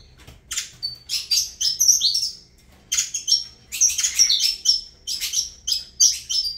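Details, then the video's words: Saffron finch named Avalanche singing bursts of bright chirps and piercing whistles, grouped into short phrases separated by brief silences. "Canto do Canário da Terra Avalanche"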